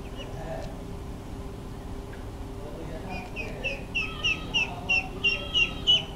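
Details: A duckling sneaking around below a first-floor vantage point, searching for food, filmed with a Fujifilm JX250: faint at first, then a run of high, clear peeps repeated about three times a second over steady background hum.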